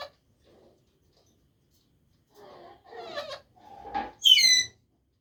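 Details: Pet talking parrot produces a string of varied, speech-like babbling sounds that build into a loud, sharp, falling screech at the close.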